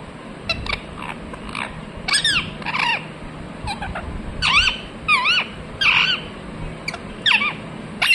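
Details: Parrot chirping: scattered short squeaky notes, some looping down and up in pitch, at irregular intervals, over a steady hiss and low rumbling background noise.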